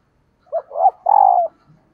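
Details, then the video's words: Female dove calling to entice males: a close, loud phrase of a short coo, a rising two-part note, then a long sustained hoarse coo lasting about half a second, in a quiet setting. "Tiếng Chim Cu Mái Kích Trống HIệu Quả Nhất 2022"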